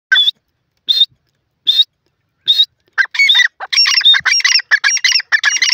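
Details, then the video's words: Sindhi francolin (teetar) calling: four spaced, clear whistled notes about one second apart. These give way to a fast, loud run of harsh, grating double notes repeated in quick succession. "pheasant teeter ki lovely awaz sindhi teetar ki masti"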